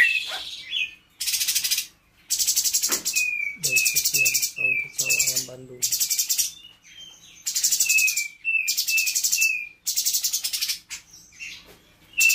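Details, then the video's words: Captive spotted blue-winged leafbird in training, its song filled with mimicry of other birds and insects. Loud harsh buzzing bursts alternate with quick descending whistled notes, and lower rasping notes sound in the middle. "Cungko trotol gacor"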